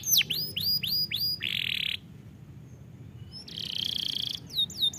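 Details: Canary song used for training canaries: a run of quick descending whistled slurs, then a steady buzzy roll, a short quiet gap, another bright roll, and curling high notes at the end.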